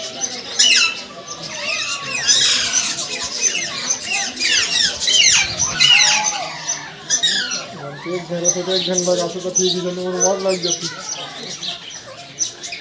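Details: Parrots calling indoors: a jumble of harsh squawks and squeaky rising and falling whistles, with a stretch of rapid nasal chatter, and human speech mixed in.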